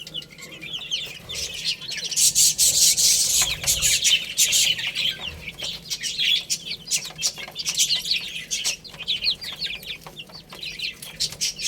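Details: Chicks playing and eating, bursts of loud rustling or wing flutter early on, then steady overlapping thin chirps and frequent clicking pecks.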